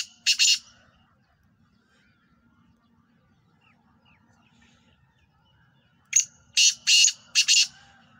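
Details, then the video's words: A black francolin (kala teetar) gives harsh, grating, ratchety notes: a brief double note, a quiet pause, then a four-note rasping phrase, with a faint low hum behind. "Kala Teetar Black Franclion Voice"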